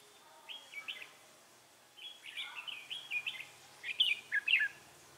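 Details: Red-whiskered bulbul used as a decoy for trapping, 3 November 2018, delivering fighting-song phrases: chattering runs of slurred whistled notes building to louder, bright warbles near the end.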